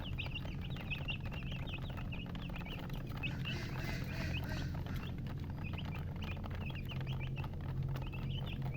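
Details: Baby chicken chicks peeping: many short high chirps in bursts, some rising, some falling, over a steady low rumble of background noise.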